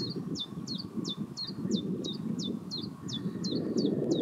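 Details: Near Pehritzsch a common chiffchaff sings a steady series of about a dozen bright, high downslurred chips, some doubled, spaced roughly three per second, with low rumbling background noise beneath.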